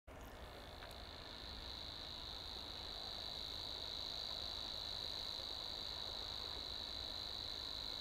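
A Savi's warbler reels without pause, a fast, even, insect-like buzz held on one high pitch.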